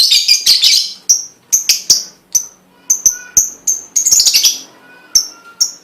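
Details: Shrill chattering from a lovebird singing a pancingan lure song meant to draw other lovebirds into song, breaking into many sharp, high single chirps spaced unevenly, with another short burst of rapid twitter.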